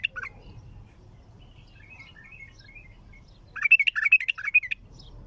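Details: Raw, heavy-throated bulbul opens with a short fluty note. Soft chirping follows, then a loud burst of quick, rolling, whistled notes that rise and fall for about a second before stopping.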